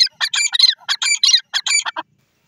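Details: Grey francolin (gora teetar) from the jungle giving shrill, scratchy calls in quick bursts of clustered notes, about six phrases that end in a lower, softer note, in otherwise quiet surroundings.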